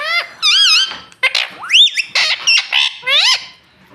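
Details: Pet green parrot, a talking bird said to say "mummy" and "mitthu": loud, harmonic squawks and speech-like syllables with swooping rises and falls, several short phrases in quick succession.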